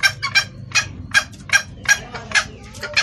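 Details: Female red junglefowl calling to the male, recorded to lure males; irregular harsh clucks, some doubled, around two to three per second, above a faint low rumble.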